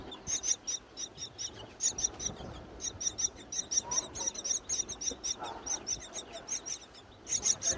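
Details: Hungry myna chicks being fed in their nest high on a palm tree in breeding season; bright, shrill, squeaky cheeps pour out in rapid clusters with short gaps, over a quiet background.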